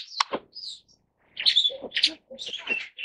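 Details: Superb starling (Lamprotornis superbus) calling in quieter, fast chattering phrases of squeaky high notes mixed with lower churring sounds, broken by a short pause.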